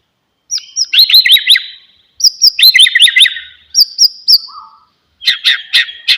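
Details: Song of the white-rumped shama, played to get a silent bird singing: three phrases of high whistles with rapid descending chatter, a low short whistle, then harsh chirps.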